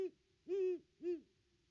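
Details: Great horned owl hooting at its nest tree, filmed by a nest cam on 25 December 2021: two soft, low, rounded hoots about half a second apart, over a quiet background.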